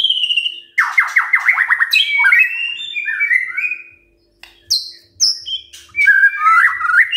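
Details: White-rumped shama's morning song to get other birds singing: a fast cascading series of down-strokes, then varied whistles, high clear notes and chattering phrases, broken by a short silence midway.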